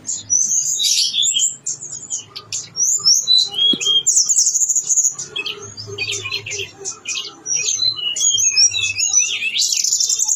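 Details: Blue-winged leafbird (tledekan gunung) in lively full song with all mimicked inserts, a dense stream of very high chirps, buzzy notes and twitters delivered rapidly and almost without pause.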